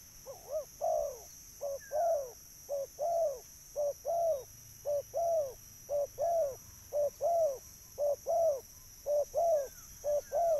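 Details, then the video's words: Long run of spotted dove coos meant to lure birds: about a dozen evenly spaced couplets of short and longer mellow downward notes, nearly one per second, over a constant high electronic whine. "burung tekukur suara mp3"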